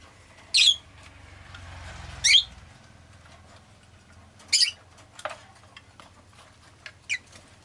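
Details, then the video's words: Rosy-faced lovebird giving scattered shrill, scratchy chirps, about five over several seconds, over a steady low hum of town noise with a passing engine rumble. "Lovebird Chirping Sounds"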